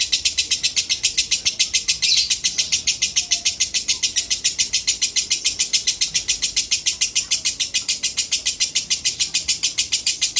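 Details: Sunset song of a female lovebird: a long, very regular stream of high, harsh chirps, about three and a half per second, holding an even pace for over ten seconds with one brief louder burst near the start.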